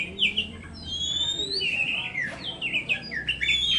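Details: Oriental magpie-robin in song: clear high whistles that sweep upward, followed by quick twisting chattery phrases and sharp slurred notes, a steady low background hum underneath.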